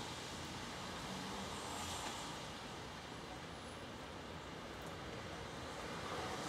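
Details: Steady roar of road traffic with vehicles passing throughout; no animal voices can be picked out.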